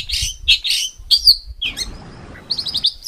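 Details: Competition-bird training song in rough bursts: loud separate high chirps, then a pause filled by faint hiss, ending in a quick run of short squeaky notes.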